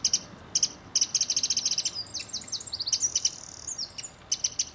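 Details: Garden visit by a mistle thrush family, adults with three juveniles: short dry rattles alternate with a run of quick slurred chirps, the harsh clicking bursts returning at the end.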